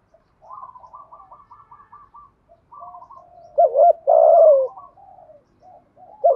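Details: Spotted dove in thúc gù driving-coo style: a run of faint, quickly repeated stuttering coos, then a loud wavering note and a long falling coo, with further soft coos after it. Said to excite decoy doves.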